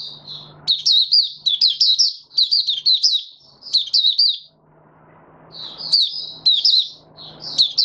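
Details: A male white-eye giving its opening song on 08-01-2022: bursts of quick, high, twittering and warbling phrases in short runs, with a pause in the middle before singing resumes, over a faint low hum and soft background rustle.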